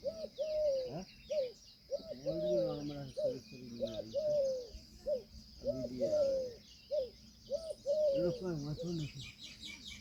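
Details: Indian peafowl peahen giving a long run of loud, nasal, arched honks with rich harmonics, short clipped notes alternating with longer drawn ones, roughly twice per second in bursts, against high insect buzz.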